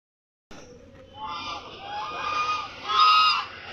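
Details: Ducks calling loudly. After a half-second of silence, a chorus of nasal, honking quacks overlaps and swells, growing louder toward a peak near the end.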